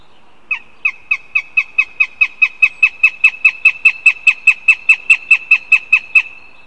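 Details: Northern goshawk begging at a nest in Riga, captured on a live nest camera: a steady series of about two dozen sharp, descending, squealing notes, roughly two or three per second, growing louder, over quiet background.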